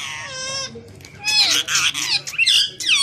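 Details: Pet green parrot couple talking and fighting with each other in Urdu; a drawn-out, falling whining tone opens, then rapid raspy chatter and squeaky upswept notes.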